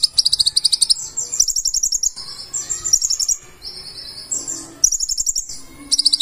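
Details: Konin, the purple-throated sunbird, delivering energetic 'gacor full isian' song: shrill, fast stuttering trills and thin sliding whistles run almost continuously, broken by one brief pause midway.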